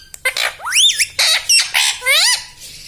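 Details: Pet talking parrot, a green ringneck, at home; short squawked and whistled word-like syllables with sweeping up-and-down tones in quick bursts.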